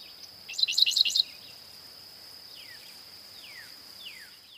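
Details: Dickcissel song heard as one brisk phrase of five or so clipped, buzzy chirps. Faint downward-sliding whistles follow, with a steady shrill hum behind.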